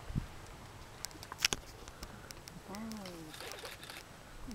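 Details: Waved albatross during its courtship dance in the Galapagos, giving a low, wavering moan after a burst of sharp bill clacks, with light wind and faint background noise.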